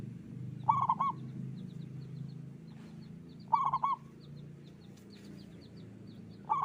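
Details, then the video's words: Local zebra dove singing frequently with a strong voice, rolling cooing phrases recurring roughly every three seconds, while thin high chirps of other small birds and a steady low hum run underneath. "Perkutut lokal gacor suara besar"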